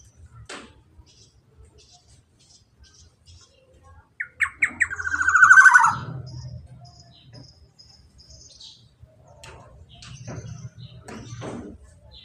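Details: A black-naped oriole, male, gives one long 'ropel' phrase aimed at quiet birds: a few harsh notes accelerate into a loud rasping trill. Scattered clicks and soft knocks come before and after, over a low hum.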